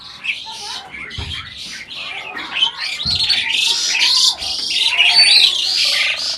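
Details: Breeding adult Asian pied starling reportedly imitating speech: a loud, dense stream of high, scratchy chatter and squeaks, almost continuous, with a few lower slurred notes underneath and a couple of soft knocks.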